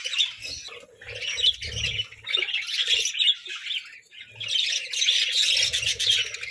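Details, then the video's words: Flock of pet budgerigars bickering over treats, steady overlapping chirping and warbling chatter in bursts, with a brief lull near the middle and low knocking sounds. "Parakeet Symphony & Budgie Brawls: Chirping Sounds and Food Fights!"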